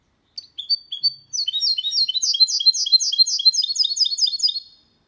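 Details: Goldfinch × canary hybrid delivering a clean song without errors, recorded in 2022 for stimulating males and teaching young birds: a few spaced chirps, then a rapid regular run of high twittering notes for about three seconds.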